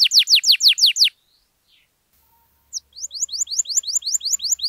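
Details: Canary in song, used to prompt silent canaries to sing: a burst of seven rapid down-slurred notes, a pause of over a second, then a fresh series of rising-then-falling whistled notes in steady rhythm.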